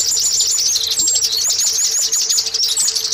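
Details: Lure song of the Oriental white-eye, used to prompt caged birds into singing: dense, very high chattering twitters with looping whistled phrases over a faint constant hum.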